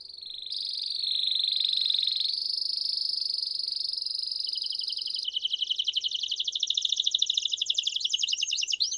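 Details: Belgian canary in bell song, holding long unbroken high whistled tones that shift pitch in steps, then breaking into a rapid pulsing rattle-like trill; a faint low steady hum sits underneath.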